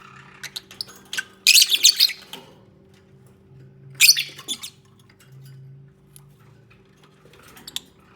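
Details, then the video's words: Lovebirds bonding and nesting together, unedited natural recording: two loud, harsh, broadband squawk bursts of about half a second each, separated by soft clicks and rustling, over a steady low electrical hum. "Peaceful Lovebirds Moments | 20 Min Unedited Natural Bird Sounds"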